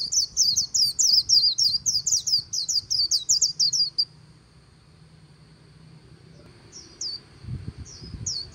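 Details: Beside the Kỳ Cùng river a white-eye delivers four seconds of fast, thin, high twittering in the líu style, then falls quiet, with only a few isolated high chirps near the end.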